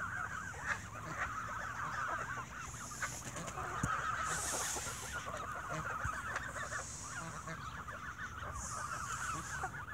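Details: Evening bread feeding sets geese squabbling, with loud, dense, rapid honks from many birds running without a break and occasional hissing splashes above.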